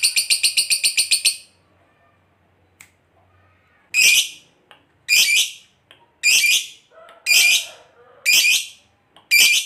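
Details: Lovebird long chatter ('ngekek panjang') played as a lure to make other lovebirds answer. A quick shrill rattle opens, then short harsh screeching bursts come roughly once a second after a pause, with faint low clicks between them.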